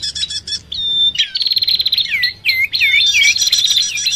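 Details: Bar-winged prinia lure calls combined with common iora sounds: a brief high buzzy burst, then a rapid stuttering trill and a string of looping whistled notes rising and falling in quick succession.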